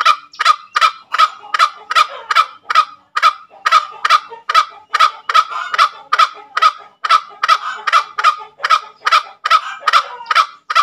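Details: Sustained ngekek calling by a green junglefowl: over twenty grating, cackling notes in an even, hurried rhythm of about two and a half per second, clean with little other sound.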